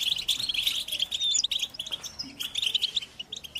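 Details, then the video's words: European goldfinches in a group twittering chorus, mating and readiness calls played to stimulate silent captive males to sing; dense, bright, rapid chirps and tinkling notes pour out without pause, with a few thin rising whistles. "بتبتة الحسون تحفيز الحسون على التغريد والهيجان علاج صمت الحسون goldfinch stimulation"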